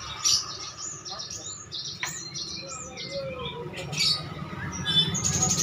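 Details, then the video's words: Javan myna, noted for talking, giving a string of high thin whistles and chirps, a short sharp click and a few throaty notes, with a low hum in the background. "Jalak kerbau Pinter bicara"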